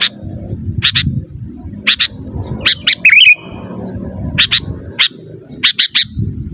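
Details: Lively sooty-headed bulbul, recorded for luring wild bulbuls in the forest: sharp chirps mostly in pairs, with a short bubbly warbled phrase in the middle, over continuous low rumbling noise.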